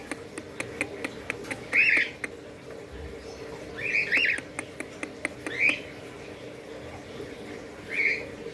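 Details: Young budgerigars, chicks 40 days old, give short, harsh, raspy squawks around two kilohertz, four bursts spread over several seconds, with a steady hum and sharp clicking behind.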